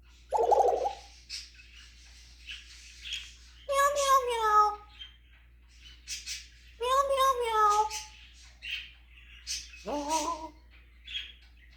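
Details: African grey parrot whose repertoire includes kitty noises gives three drawn-out, wavering meow-like cries about three seconds apart, mixed with clicks, chirps and a low raspy note at the start.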